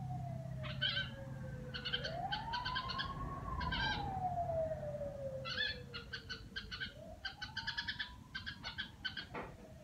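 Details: Pet red-whiskered bulbul performing its "rò" chatter at home: clusters of short grating notes in bursts. A loud rising and falling siren-like wail runs beneath much of it.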